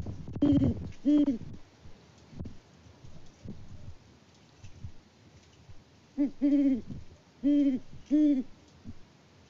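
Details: Mated pair of wild Great horned owls on a Kansas farm in February, trading hoots before the male leaves for his roost; two low hoots open, then a pause and three more deep, evenly spaced hoots.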